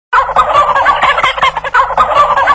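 A turkey gobbles loudly in a rapid, rattling, throaty burst that rolls on and then starts again. No other sounds stand out.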